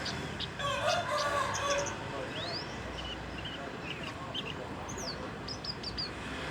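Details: Juvenile Horsfield's bush lark practising song that is not yet fluent: a rising thin whistle, scattered high ticks and short downslurred notes, over constant background hum and a lower warbling sound early on.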